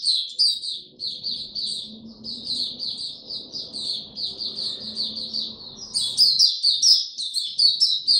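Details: White-eye song from 26 March 2022 in warm, very humid conditions: a continuous run of high, rapid chirping notes, over steady low rumbling background noise that fades after six seconds as the singing grows louder.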